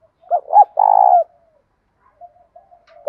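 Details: Spotted dove's morning calling to attract wild doves, voice type 'thổ' mixed with 'thúc'. Two short coos precede a long, rolling, descending coo, followed by a few faint soft notes. Another coo starts at the very end.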